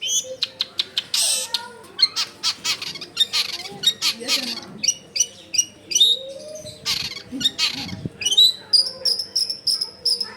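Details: Long-tailed shrike in full song, recorded at home in a crowded residential area as a lure to get quiet shrikes singing: rapid, dense chatter of clicks, squeaks and whistles with some faint lower background noise.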